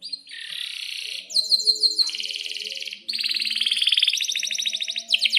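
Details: An excited canary sings a long, unbroken rolling song, used as a lure and as a model for young canaries. Thick buzzy rolls shift into sharp clipped phrases and fast, evenly pulsed trills at several pitches.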